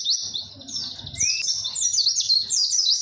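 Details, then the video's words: Long, clear white-eye song in the 'witwit' style meant for tutoring birds: sweeping high trills, a short rising whistle, then a dense stream of quick, varied high chirps over a faint low hum. "MASTERAN PLECI WITWIT PANJANG DAN JERNIH"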